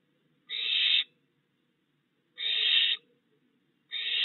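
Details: Fledged barn owl family in a yard at night, owlets now hunting as the male keeps delivering prey; broad rasping screeches lasting over half a second, repeated roughly every one and a half seconds, the third cut off.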